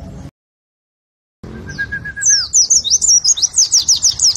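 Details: Oriental white-eye, a fighter-style bird, delivers a brief row of level whistles, then a fast, high, twittering run of sharp, down-slurred chirps repeated about three times a second, after a short silent gap.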